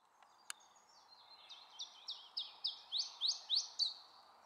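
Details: An Iberian chiffchaff at Gullegem Bergelen on 12 April 2012 sings a run of about ten high, sharply slurred notes, roughly three a second, swelling louder toward the end over a soft background hiss.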